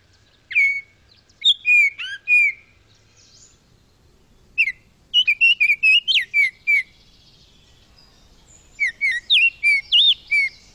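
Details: Baltimore Oriole song in southern Quebec, a spring migrant: rich, fluty whistled phrases in three short bursts, each a quick run of clear, slurred upper-middle notes; lots of different sounds.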